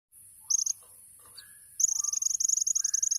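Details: Olive-backed sunbird, known locally as kolibri ninja, singing a tembakan-style song: a short burst of high, sharp notes, a pause, then a fast run of thin, high chips repeated rapidly to the end.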